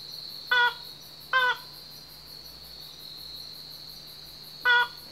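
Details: Slaty-legged crake calling in a dark thicket on Yonaguni Island after an hour's wait: three short, harsh, nasal notes, two close together and a third after a pause, over a steady high insect drone.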